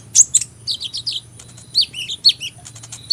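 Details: Sunbird singing a lively run of high, thin chirps and short twittering slurred notes, some rising and falling, delivered in quick clusters over a faint low background hum.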